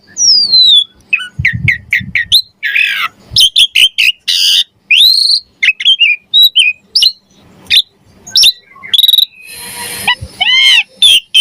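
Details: Javan pied starling in full varied song used for training other songbirds, pouring out rapid whistles, harsh squawks, clicks and descending slurs in dense, loud bursts.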